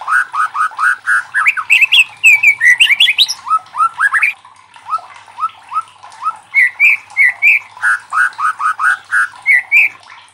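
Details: White-rumped shama's loud song meant to challenge other shamas to sing, with fast runs of short upslurred whistles repeated in series, pausing briefly midway before resuming.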